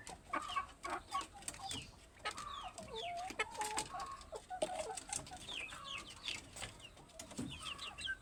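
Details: Plump chickens mix soft mid-pitched clucks with clusters of high downslurred peeps, amid frequent scratching and knocking clicks.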